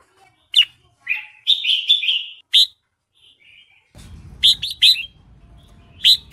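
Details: Red-whiskered bulbul female lure song used to excite males into singing: a run of warbled, slightly buzzy phrases held for over a second, a short quiet gap, then several bright rising notes over low background noise.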